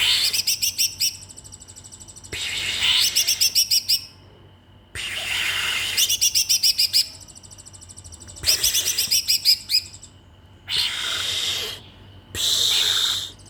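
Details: Magpie-robin kept in a cage, singing wildly on its own with only feed while its owners travelled home for the holiday: repeated bursts of rapid, sharp, high pulsed notes alternating with harsh noisy rushes, roughly every two seconds.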